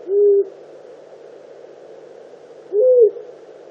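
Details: A disturbed long-eared owl near its nest gives two short, low hooting calls about two and a half seconds apart, the second slightly higher and arched, over a steady background hiss.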